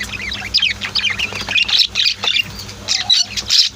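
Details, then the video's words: Pet lovebirds and budgies in a house call in clustered, very high, short chirps in pulses about every half second, with a faint low hum in the background. "Sweet Bird Chirping Sounds | Relaxing Voice of My Pet Birds"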